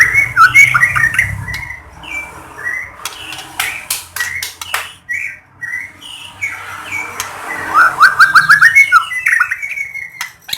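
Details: White-rumped shama singing, a training recording meant to provoke other shamas into song, Lahat: varied whistled phrases, rapid rising trills near the start and end, with sharp clicking knocks between.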